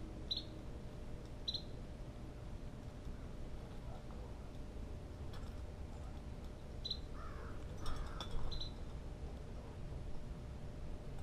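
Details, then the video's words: A blue jay gives short, harsh, high calls in scattered pairs and singles, with a few lower notes, over a steady low rumble. "Blue Jays"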